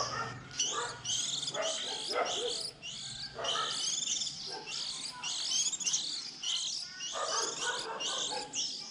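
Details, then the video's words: Early-season young white-eyes, 2020, a recording collected for luring birds into traps around April: busy, high-pitched chattering twitters overlapping continuously, with intermittent rougher lower-pitched bursts. "Tiếng khuyên non đầu mùa 2020"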